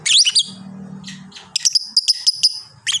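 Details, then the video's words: Caged fighter lovebird giving its prized long chatter (ngekek panjang) as a lively singing bird: a shrill, squeaky burst, a quiet pause with low hum, then a rapid run of sharp, high chirps repeated several times a second. "berkat suara burung lovebird ini banyak yang nyaut"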